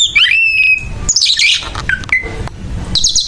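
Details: Aggressive Oriental magpie-robin singing harshly as if fighting, with a loud level whistle, a scratchy rasping burst, then short falling and flat whistled notes and a final buzzy flourish.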